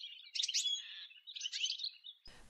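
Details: European goldfinch, a sociable bird of countryside and settlements whose autumn flocks keep together with constant "stiglit" calls: two bright, tinkling bursts of high twittering notes, each about half a second, then a brief rustle.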